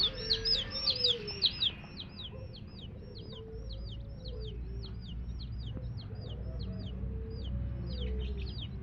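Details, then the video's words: Chicks of the domestic hen peeping steadily: a chain of thin, high downward-slurred chirps, louder for the first two seconds, then quieter, with low rounded notes and a constant low rumble behind. "Hen Baby Chicks, Witty MURGI Baby "Chicks Chirping" Sound"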